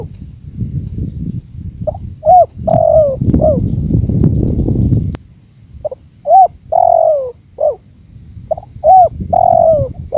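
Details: Spotted dove cooing, in a calling and therapy track mixed with wind. Soft, hooked coos with a drawn-out middle note come in two phrases, separated by a gust of loud wind rumble.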